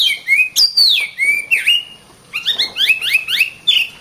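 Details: Song of an Oriental magpie-robin used as masteran for tutoring birds: varied whistled slurs falling from high to mid pitch, then a quick stuttering string of short rising notes stepping up in pitch.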